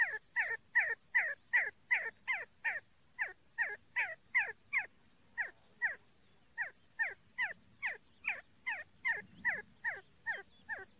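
A see-see partridge gives a steady run of sharp, downward-sliding notes, two or three each second, with a short pause midway, against a quiet background.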